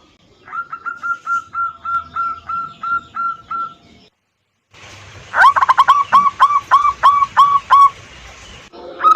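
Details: Local zebra dove song used as a lure to coax caged birds to sing: a series of hooked whistled coo notes repeated about three per second. It pauses, then resumes with louder, sharper notes over faint background hiss.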